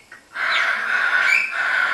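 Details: Palm cockatoo kept at Prague Zoo, giving a loud, harsh, sustained screech of about a second and a half. The raspy tone holds steady with slight rises and is preceded by a brief faint note.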